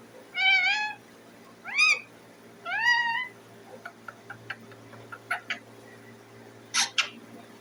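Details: Indian ringneck parakeet, a pet green parrot, giving loud harmonic calls, some rising and wavering, three long ones near the start, then a run of short sharp clicks and chirps, with two bright high squawks near the end.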